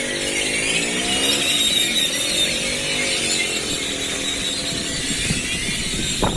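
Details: A dense gathering of many grackles in the central square of a small coastal village at Celestún, Mexico, gives a constant wall of high, squeaky, metallic whistles and chatters, with a low engine-like drone underneath.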